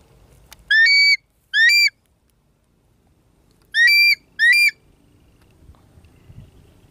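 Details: Light-morph changeable hawk-eagle, trying to hunt a goliath heron: four loud, shrill whistled notes with bright overtones, each rising slightly then dropping, given in two quick pairs about three seconds apart over a quiet background.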